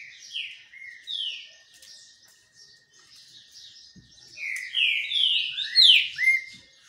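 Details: Green-winged saltator singing while sunbathing: loud, rich whistled phrases of downslurred notes, a short burst at the start and a fuller run near the end, with faint higher chirps and a steady thin tone in the background.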